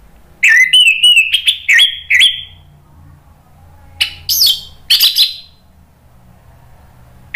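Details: Orange-headed thrush delivering a loud ngeplong song to draw answering song from other birds: a quick series of clear downslurred whistles over about two seconds, a quiet spell, then three separate sharp, bright phrases.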